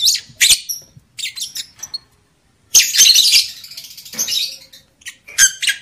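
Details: Female lovebird chatter, used to stir breeding urge in males and bring females into breeding condition: harsh, buzzy high chirps in dense bursts, a quiet gap near the middle, then a long loud scratchy run and short closing bursts.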